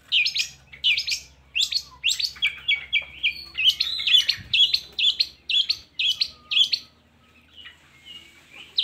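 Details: Long-tailed shrike singing, played to prompt lazy shrikes to sing: a fast series of harsh, buzzy chirps, roughly two per second, with a few drawn-out whistled notes between, fading at the end.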